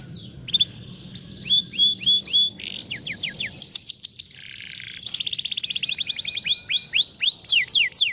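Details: Song of a canary meant to prompt a lazy canary into singing: short whistled phrases, fast repeated tinkling trills, a harsh buzzy note, then a long high rolling trill with falling slurs.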